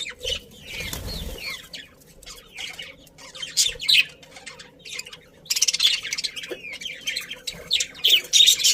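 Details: Happy budgerigars chirp in a colony, with scattered squeaky calls, busy wing flutters and a dense, excited burst of high chattering in the second half.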